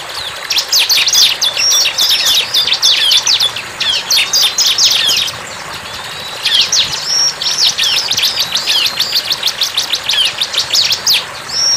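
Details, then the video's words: Energetic song of a wild bar-winged prinia: long runs of fast, piercing, evenly repeated chips. A short break around the middle carries a faint thin whistle, then the rapid chipping resumes. "CIBLEK GACOR"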